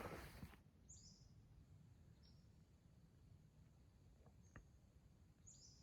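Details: Pacific-slope Flycatcher in foggy morning old-growth redwood and Douglas-fir forest, Redwood National Park, California: high, thin, upslurred notes at irregular one-to-two-second intervals over a low forest rumble, brief rustle at the start.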